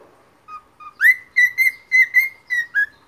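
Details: A three-week-old pet cockatiel sings a run of clear whistled notes, most held at one steady pitch.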